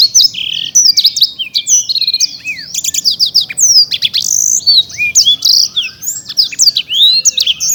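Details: Black-throated canary, a prize-winning caged bird kept in Bekasi, pouring out a continuous fast song of high twittering whistles, trills and rising and falling slurs.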